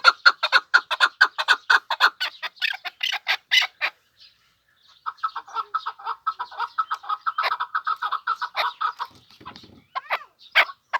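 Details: Chukar partridge from the Pamir repeating rapid clucking chuk notes in two bursts separated by a second of silence. The second burst is denser and lower, and it ends in a few scattered louder notes.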